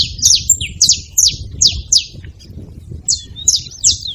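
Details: Saffron finch calling: sharp high chirps sweeping downward, given in loose groups with short pauses, over a faint low rumble of background noise.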